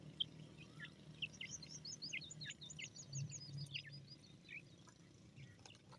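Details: Francolin chicks feeding in a forest: many short, high chirping peeps, some rising and some falling, tumble out in quick overlapping bursts for about four seconds, then thin out, over a steady low hum.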